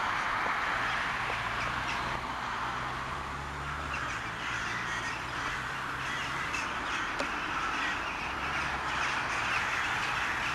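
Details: A crowd of crows at a Sevastopol crow 'wedding', captured with a Toshiba Camileo P30, keeps up a dense chorus of hoarse, overlapping caws at an uneven rhythm, accompanied by a faint low drone.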